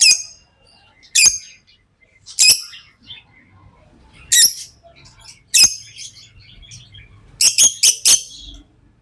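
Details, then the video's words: Single sharp, high lovebird chirps spaced roughly a second apart, ending in a quick series of four rapid squeaks, from tame pet birds. "Love birds Sounds | lovebirds chirping sounds"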